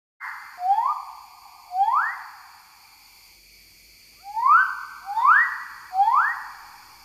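A magnificent riflebird gives loud whistled notes that swoop steeply upward. Two come close together, then after a pause three more, with a slight echo.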